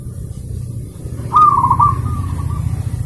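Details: Zebra dove song used as a training master for pet birds: one clear cooing phrase, a quick stuttered trill of beaded notes, then a longer, softer drawn-out coo trailing away over a constant low rumble.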